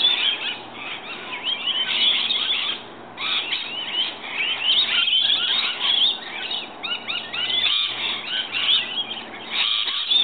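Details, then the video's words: Morning feeding visit by a group of rainbow lorikeets that come in every day; constant harsh shrieking and chattering from many birds at once, swelling and easing in waves. "Rainbow lorikeets"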